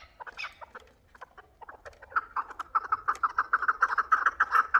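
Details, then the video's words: Chukar partridges, hybrid and local birds, give a chuk series that starts with scattered clucks, then speeds up into a rapid, even run of loud, ringing notes, roughly three to four per second. "Кабки гибрид ва махали"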